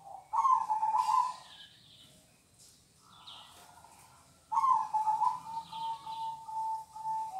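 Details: Kong-style song of a local zebra dove: three rolling, trilled coo phrases with pauses between, the last one long and drawn out in a steady low purr, background otherwise quiet.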